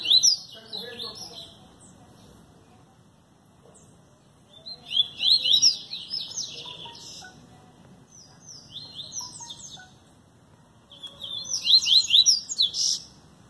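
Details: Capped seedeater from João Pessoa, Paraíba, singing three bursts of fast, sweeping high trills and chirps separated by short pauses, with a few soft lower whistles and faint background voices.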